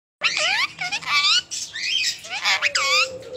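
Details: A pet female rose-ringed parakeet talking, chattering in quick, squawky, speech-like bursts with rising and falling harmonic tones over about three seconds.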